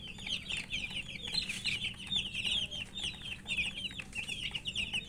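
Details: Thirsty coloured chicks peep for drinking water in a busy chorus of high, sliding chirps, overlapping and rising and falling in loudness, with faint low hum behind.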